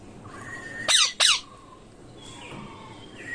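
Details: Two rasping squawks from ringneck parrots, back to back within half a second, each dropping sharply in pitch, then quiet with faint whistled tones in the background.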